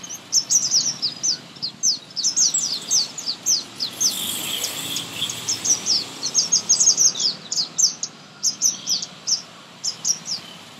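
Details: Garden sunbird from India giving its loud high-pitched song: dense, rapid, sweet twittering downslurred notes pouring out for about ten seconds, with a brief hiss midway.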